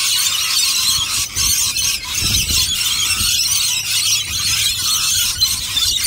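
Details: Rainbow lorikeets screeching together in a loud, harsh, high-pitched chorus of squeals that runs without pause, with faint low rumbling beneath.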